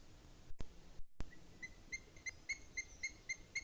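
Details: A booted eagle in the Sierra de Guadarrama at 07:40 on 20 May 2021 gives a series of short, high, shrill notes, about three per second, after two sharp clicks. Low background rumble is heard throughout.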